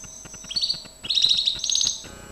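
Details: Gloster canary training song, soft at first, then a rising series of bright rolling notes stepping higher in pitch, with quiet clicking in the background.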